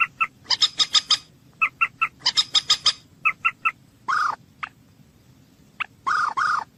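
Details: Common moorhen (Gallinula chloropus) gives quick runs of four or five sharp, clucking notes, then two longer, harsh, croaking calls, against a quiet background.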